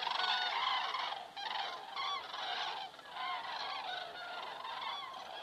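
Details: Common cranes in flight over an Estonian crane cam site, 27 September 2017 at 19:26: many trumpeting calls overlapping, loudest at the start, then coming in uneven waves with brief dips.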